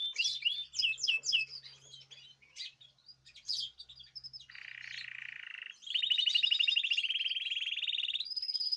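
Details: Birds raised in cages singing as a group, 14 March 2026: tumbling high twittered phrases, a short burred trill, then a long rapid ticking trill closing on a thin whistle, with a low hum early on.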